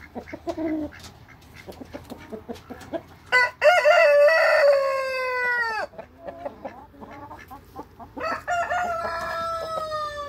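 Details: Backyard Light Brahma rooster crowing: rapid clucks lead into a strong sustained crow of about two and a half seconds ending in a downward slide, then more clucking and a second crow starting near the end.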